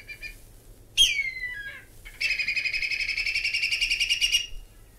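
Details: Whistling Kite, called Whistling Eagle, from Australia: a clear whistle sliding downward, then after a pause a fast staccato series of shrill quavering notes lasting about two seconds.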